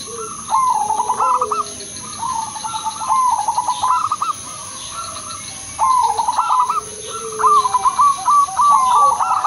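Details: Lure song of an Udanmas silver crossing zebra dove, meant to make all zebra doves sing: repeated phrases of quick, stuttering coos with brief gaps between them and a steady high-pitched whine behind.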